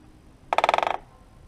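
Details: In late January in north-east Italy, in the morning, a great spotted woodpecker drums to mark territory and call females for the breeding season. It gives a short, rapid roll of about a dozen wooden strikes lasting half a second, fading at the end, audible from afar.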